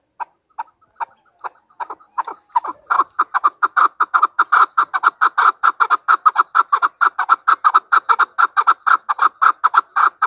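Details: A chukar partridge from Pakistan starts with slow, separate chucks that quicken into a dense, steady run of harsh clucking notes lasting over seven seconds.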